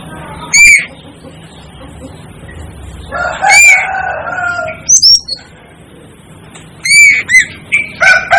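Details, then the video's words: Scattered short, ringing upslurred notes of an Asian glossy starling, sometimes called the 'devil' bird, separated by quiet gaps with a low steady background hum. "'DEVIL ' BIRD CALL || Asian Glossy Starling Calls"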